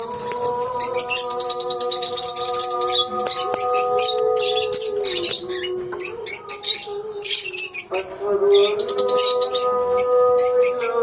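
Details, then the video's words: Lovebirds chattering as a colony, quick trilled chirp series broken by short pauses, the calls rising and falling over a persistent low drone. "Love bird colony"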